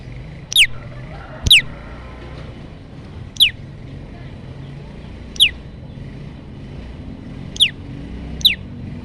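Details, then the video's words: Olive-backed tailorbird recording used as a lure for trapping birds: sharp, high notes sweeping steeply downward, given singly at irregular gaps of one to two seconds, over a low steady rumble. "pancingan prenjak lumut untuk mikat dan macet bunyi"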